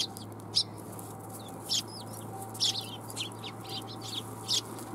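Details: Several sparrows chirp while coming for food at a Tenmangu shrine, 1 January 2021. Bright, clipped chirps come in loose clusters every second or so, with a low constant hum in the background.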